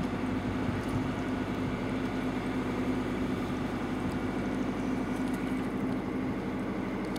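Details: Continuous droning boat engine at sea, with no animal calls heard.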